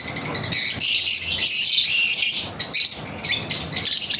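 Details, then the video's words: Kept lovebirds chirping through their daily routine, a loud continuous wall of shrill overlapping chirps and whistled squeaks with little pause. "Lovebirds Chirping Video Daily routine"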